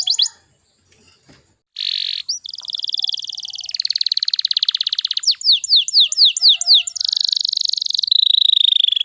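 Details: Canary song meant to coax young canaries into singing; after a brief quiet start, a harsh buzzy burst leads into long fine trills, a run of descending sweeps and a steady high rattle.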